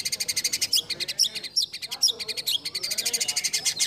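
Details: Competition-style white-rumped shama song packed with fill-in phrases that judges like. Dense, fast, harsh pulsed notes run steadily, broken by brief sharp high chirps.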